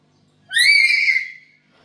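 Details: A single drawn-out, harmonic, whistled screech lasting about a second, rising then levelling off. It comes from a black-capped lory kept at home, recorded as a lure and master call to prompt other birds to call.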